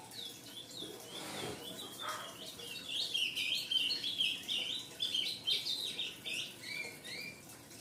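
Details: Young ultramarine grosbeak fledgling calling persistently: a rapid run of high, slurred chirps, about three per second, rising and falling, with a brief low rustle early on.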